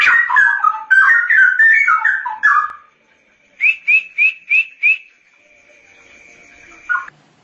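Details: Straw-headed bulbul singing ngoceh style: a rich, fast, gurgling warble of liquid phrases, then five short upslurred whistles repeated evenly over a steady faint high hum, ending with one low note.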